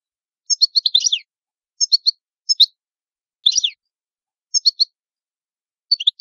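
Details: Italian European goldfinch uttering clusters of two or three sharp tinkling notes, some ending in a short descending twitter, repeated every second or so in quiet.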